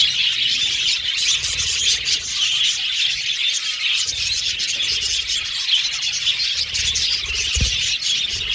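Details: Aviary colony of male blue and violet budgies: steady overlapping high chirping and warbling, many birds at once, with one brief low thump near the end.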